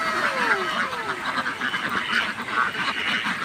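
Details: A large farm flock of domestic ducks, over 500 birds, kept by their owner; dense overlapping quacks and chatter form a continuous din, with a falling whistle-like tone early on.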